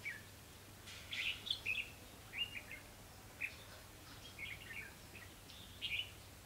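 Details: Decoy red-whiskered bulbul at a trap, 28 October 2016: clear, quick whistled notes in brief phrases spread across the clip, spaced by short silences, with light ambient noise.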